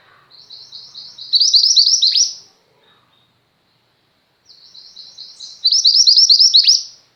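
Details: Two matching phrases from a female Mountain White-eye, a chatty tutor bird for pet white-eyes, each opening with soft high chatter, swelling into loud rapid twittering and closing with a sharp downward note, separated by two seconds of silence.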